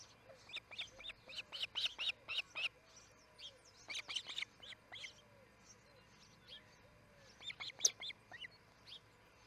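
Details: Ospreys calling at their nest near Charlo at about 6 a.m. on July 4, 2018, as they start the day: bursts of sharp, whistled chirps, rapidly repeated in runs of several notes, separated by short pauses.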